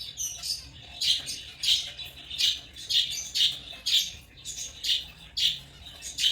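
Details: Rapid shrill chirps from African lovebirds, harsh high squeaks coming nearly twice a second in an uneven, busy chatter.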